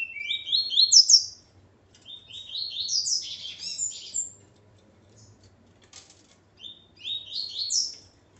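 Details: A male double-collared seedeater, paired with his female, delivers three loud phrases of quick upslurred chirps stacked in rising runs, each phrase ending on a sharp high note, with short quiet gaps between phrases.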